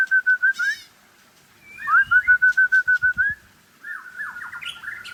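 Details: Aceh white-rumped shama giving clear, pure whistled notes in rapid even series, about eight per burst, separated by short pauses, ending with a rising, broken phrase.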